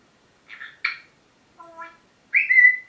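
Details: Pet parrot chattering in the morning: a few short harsh notes, a lower tonal note with clear harmonics, then a loud drawn-out whistle.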